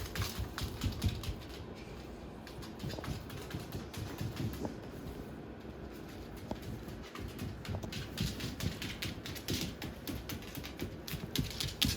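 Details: Rapid, irregular tapping and scratching clicks, much like typing or something pecking at a box, over a low steady room rumble, with no clear animal voice.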